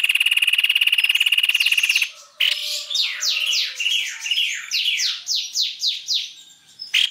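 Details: White-necked babbler, lure recording: a two-second buzzy pulsed trill, then a lively stream of rapid descending whistled notes that gradually fades.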